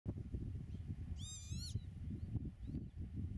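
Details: Pied avocet on its nest in Dutch meadowland, filmed from 8 metres: a short burst of rapid, harmonic, slightly rising kleep-like notes over a steady low rumble of wind.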